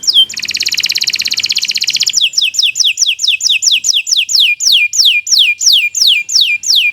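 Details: Canary of the Kenari Nusantara type singing long, continuous 'gacor' song meant as a tutor recording for other birds: a fast, dense buzzy trill for two seconds, then high whistled notes sliding downward, repeated about three times per second.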